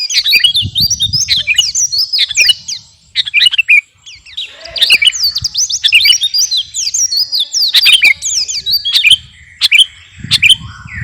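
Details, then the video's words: Sooty-headed bulbul of the garuda type singing continuously: dense, chattering strings of high, sweeping whistled notes and clicks, pausing briefly around the middle, over a low, soft hum. "KUTILANG GARUDA GACOR..!! SIAP TEMPUR KICAUAN"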